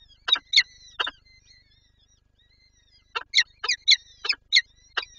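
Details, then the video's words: Peregrine falcon female in Lublin, Poland, April 2024, eager to feed her chicks, giving short bursts of harsh chattering notes separated by a two-second pause, with faint thin whistled tones between. "Sokół- Lublin- Wrotka chce nakarmić dzieci"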